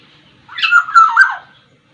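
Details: Black-naped oriole, the Sumbawa variety, giving a short fluting phrase of slurred whistles that dip and rise twice over about a second; quiet background.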